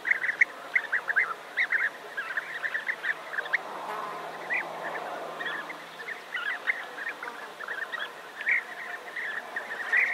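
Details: Near Navalcán in New Castile, Spain, a big European bee-eater colony calls nonstop: dense, overlapping, clipped trilling notes over a steady hiss, with a guitar in the background.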